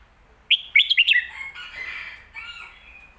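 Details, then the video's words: Red-whiskered bulbul giving a mae bot / lak wai style song phrase: five sharp, sweet whistled notes in rapid succession, then fainter, slurred, buzzy warbling fading out. "ลากหวาย/แม่บทชัดๆ เสียงดี"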